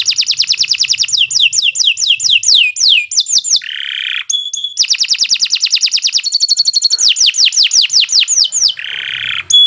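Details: Domestic canary master song for training: fast series of sharp descending whistled notes, stretches of buzzy rattling trill, and lower sustained rolls, delivered almost without pause.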